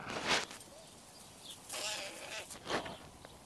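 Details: Young crows, a large brood that came late this year, gathered in a noisy squabbling crowd by a zoo window; harsh, hoarse broadband caws in short bursts, three main outbursts about a second apart.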